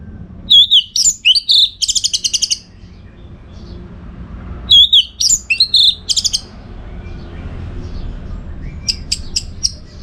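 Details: Orange-headed thrush, a contest-training bird from Singaraja, North Bali, singing two bursts of mixed whistles and fast rattling trills about four seconds apart, then a short string of sharp clicks.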